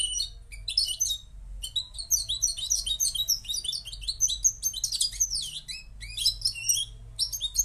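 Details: Goldfinch from Morocco delivering a lively, jangling song of quick chirps, rising and falling slurs and tight trills, rushing in bursts separated by short breaks; steady low hum behind.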